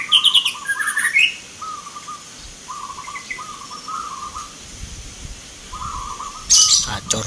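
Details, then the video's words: Local zebra doves at a Mentaraman-style rhythm song contest in Jogjakarta, Indonesia, November 2023; low trilled cooing phrases repeated with pauses, brief sharp chirps of other birds at start and end. "PERKUTUT LOKAL BERTAARUNG ADU GACOR"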